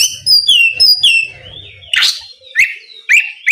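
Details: Kacer singing loudly to provoke a rival bird, opening with high clear downslurred whistles, then a long gliding note, a harsh burst and a few sharp upward chirps.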